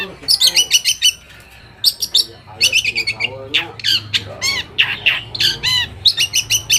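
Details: Long-tailed shrike song played to goad other shrikes into answering: fast repeated harsh clicking notes in tight runs, alternating with curved whistled squeaks and scratchy phrases, with a faint low hum beneath.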